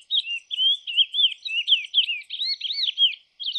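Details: Lesser seed finch, or curió, singing a rapid, unbroken run of clear, slurred whistled notes that rise and fall, with faint high insect-like ticking behind.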